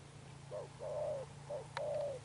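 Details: Wild-caught spotted dove with a pigeon-like build, in Thúc Đồng Pha Sấm style with a Sấm Thổ cooing tone: a short low coo, then a long even coo, a brief note and another drawn-out coo, over a steady low hum.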